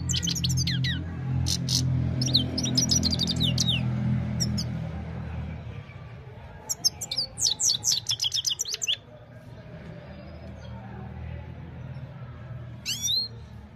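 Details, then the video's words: Evening song of a Himalayan goldfinch recorded by mobile phone: rapid high twittering phrases of sliding whistles and buzzy trills, a pause, then another fast burst and a final rising note, over low humming background noise. "Gold finch simple singing this is really amazing bird song"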